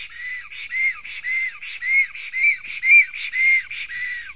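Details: Black storks at a nest in Latvia, male and female with a fight between two males, 11 June 2020, morning: a rhythmic series of whistled, slightly arched notes repeated about twice a second, steady and clear, with no other sounds.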